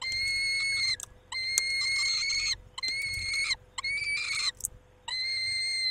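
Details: Peregrine falcon at the nest, 23 May 2021 around 19:40, male caring for the females: five strong, even wailing notes, each near a second long with short gaps between, over a steady background hum.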